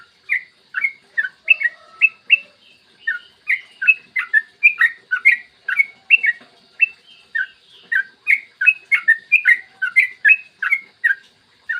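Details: Extended, rapid morning singing of a yellow-vented bulbul, played to stimulate other bulbuls to sing: rolling bubbly whistles in dense, steady bursts through the whole stretch, with a few tiny pauses.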